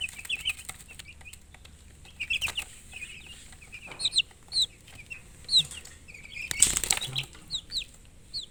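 Several chicks peep at once, with high, thin chirps that slur up or down and come in quick, overlapping bursts. Soft rustling and scuffing sounds run underneath.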